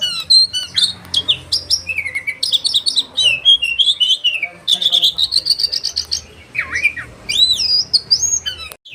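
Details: Oriental magpie-robin delivering a rolling "tembakan" burst with a sharp voice, meant to set off other magpie-robins: fast continuous chatter of trills, rising and falling whistles, and rapid stuttered notes.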